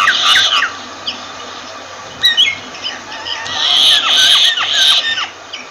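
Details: Myna calling: harsh squawks and grating notes around high pitch, then a sustained noisy rasping stretch mixed with short descending whistled slurs.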